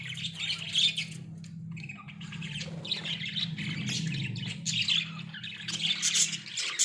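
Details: Caged Australian budgerigars warble continuously with high, chirpy, scratchy notes and quick squeaks, busy throughout, over a constant low electrical hum.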